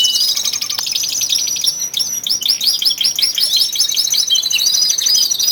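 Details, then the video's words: Twelve caged male canaries in early February, singing with growing intensity before spring; dense, high, fast warbling of rolled trills and sweeping chirps, continuous and loud throughout. "canary song II"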